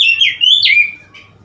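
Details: Oriental magpie-robin recorded 3 March 2021: a brief fragment of loud slurred whistles that dip and rise, then fade into a softer trailing note.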